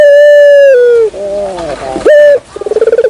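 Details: Dove lure call: a long, steady, loud coo that drops in pitch, then a softer warbling phrase, a short rising coo, and a quick vibrating run of pulses.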